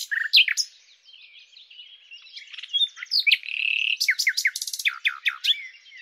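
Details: Common nightingale: sharp notes and soft chatter give way to a buzzy sustained phrase, then a fast sequence of loud downslurred notes repeated several times per second.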